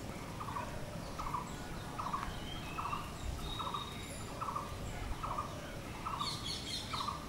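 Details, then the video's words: Blue-throated barbet calling persistently: nine short, throaty, rolling notes evenly spaced about every 0.8 seconds, with faint high chirps from other birds near the end and constant low background hum. "BLUE THROATED BARBET | BOSONTO BOURI"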